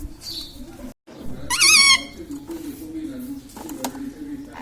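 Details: Indoor Indian ringneck parakeet that talks, repeating words like mummy and radhe radhe; one brief, bright, wavering syllable stands out after a moment of silence, over low household hum and faint clicks.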